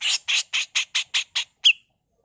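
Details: Female grey-cheeked bulbul in full harsh rasping mbeset song, recorded as a tutor recording: seven coarse broadband bursts in quick even succession, then one short clear whistled note.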